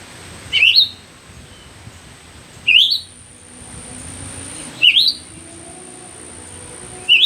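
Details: Myzomela recorded unedited on 25 December 2022: sharp, rising chirped notes sweeping upward, given singly about every two seconds, over low background rumble and a steady high-pitched whine.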